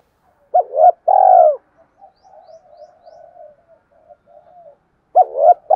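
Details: Spotted dove call for luring wild doves. A loud phrase opens with a quick wavering coo and a longer drawn-out cooo. A run of soft low murmured coos follows, then the next phrase begins.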